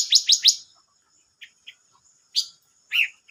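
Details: Silver-eared mesia, recorded 25 May 2022: three quick bright descending chirps in a burst, then a pause, soft short notes and two louder sharp chirps, with a faint steady high whine throughout.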